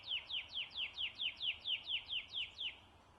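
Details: Song of a rufous whistler at Pomingalarna Reserve, New South Wales, Australia: twelve crisp down-slurred whistles repeated steadily about four per second, stopping abruptly near the end and leaving quiet bush ambience.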